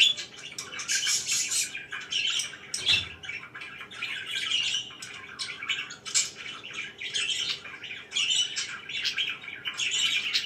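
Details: Pet budgerigars chatter in the morning with a long run of overlapping twittering chirps and raspy squawks, steady and dense, plus one faint low thump early on.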